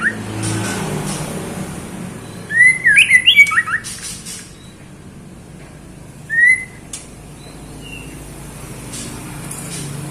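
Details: Female white-rumped shama in captivity calling to attract a male: one quick cluster of twisting whistled notes, a lone upslurred whistle a few seconds later, and steady low hum throughout.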